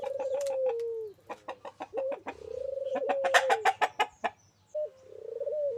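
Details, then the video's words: Local turtle dove in full song: drawn-out, low, mellow coos with a brief clipped lead-in, broken up by a rapid series of loud, sharp clucking clicks. "burung puter lokal gacor dor"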